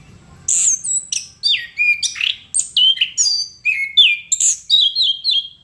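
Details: Chestnut-capped thrush singing strongly in a continuous stream of loud, clear whistles. Many notes slide downward, and the phrase ends with three similar repeated notes in quick succession.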